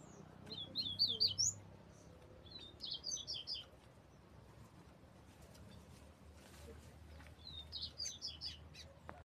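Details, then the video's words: Double-collared seedeater singing the desmantelo song style: quick bursts of high, slurred twittering notes in three short phrases, at the start, middle and end, separated by quiet pauses over a faint low background hum. "coleiro desmantelo"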